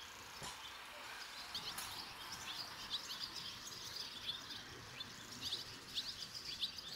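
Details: Barn swallow chicks leaving the nest, five fledging within two and a half minutes, with many young from other nests nearby. Short high chirps are repeated irregularly over a steady hiss of background noise.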